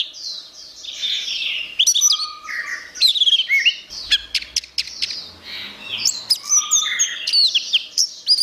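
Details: Orange-headed thrush song for training captive songbirds: a long, rich run of varied whistles, slurred rising and falling phrases and quick clicks, mixing high and lower notes without pause.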